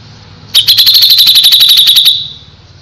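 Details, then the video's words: Grey-cheeked Bulbul (cucak jenggot) singing gacor: a single fast, dry trill of evenly spaced sharp pulses, about a second and a half long, steady in pitch and high, then fading out. "suara burung cucak jenggot // cucak jenggot gacor masteran burung cucak jenggot"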